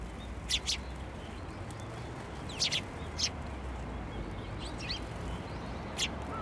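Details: Sparrows at a shrine on January 22, 2024, gathering on a narrow post to be fed; short high chirps in scattered bursts over steady low background rumble.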